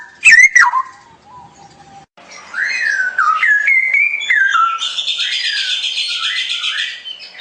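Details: Straw-headed bulbul song opening with a sharp loud whistled phrase, then a continuous run of warbling notes stepping up and down, ending with a dense buzzy trill.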